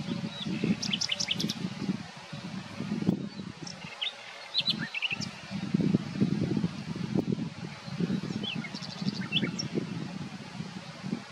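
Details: Common nightingale (Luscinia megarhynchos) song: thin, high phrases of rapid repeated notes, short whistles and quick trills, half-buried under a steady low rumble of wind or distant traffic.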